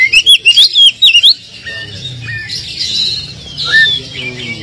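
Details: Oriental magpie-robin song, used as a lure to rouse a less aggressive bird into answering: a quick run of loud, looping whistled notes in the first second, then fainter, scattered high phrases over a low background hum.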